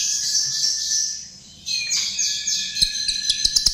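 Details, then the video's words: High, buzzy chestnut-tailed starling song played as a lure, a steady shrill warble, a short lull, then quick chattering notes with rapid dry clicks at the end. "Ternyata ini Pancingan Jalak RIO RIO"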